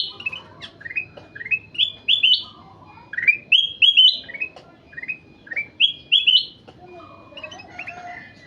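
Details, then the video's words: Golden-fronted leafbird singing briskly: clusters of sweet rising whistles and chirps, phrases separated by short pauses, fairly clean background. "Burung kutilang emas gacor"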